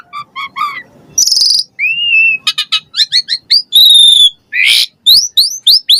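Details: Asian pied starling song meant to draw captive starlings into singing: stuttered notes, harsh buzzy bursts, a long steady whistle and a closing run of quick rising slurred whistles.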